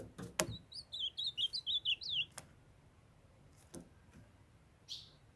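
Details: Ultramarine grosbeak in Brazil: a female calls to warm up a young male into singing. A quick series of about eight short, clear slurred whistles, each dropping in pitch, followed by a few dry clicks and one soft buzzy note.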